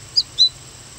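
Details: A fledgling American goldfinch at Moraine Hills State Park, Illinois, gives two thin, high, slightly falling chirps about a quarter second apart, over a faint low hum.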